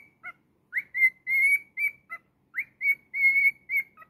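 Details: Singing cockatiel kept as a pet, whistling a tune that repeats twice: a swooping upward note, then long steady whistles broken by quick lower chirps, all clean with a quiet background.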